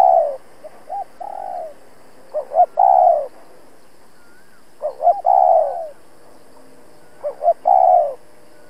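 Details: Challenge calling by a decoy spotted dove: three full phrases about every two and a half seconds, each opening with two short notes and ending in a strong, drawn-out descending coo.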